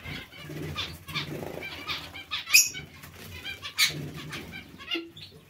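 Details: Zebra finch colony among other finches, uttering short nasal honks and buzzy notes in loose repeated bursts, about one every second, mixed with low fluttering of wings.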